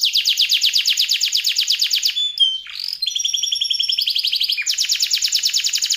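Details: Active canary song in a luxurious, long-lasting style: rapid pulsed trills, a short gap with a few slurred whistles, then a lower trilled roll and a high, fast trill again.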